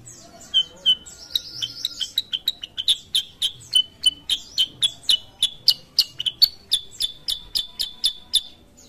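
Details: Kutilang sutra, a sooty-headed bulbul, singing energetically: some scattered chips and a short burst of rising, wavering notes, then a long, regular string of sharp high chirps, roughly three to four each second.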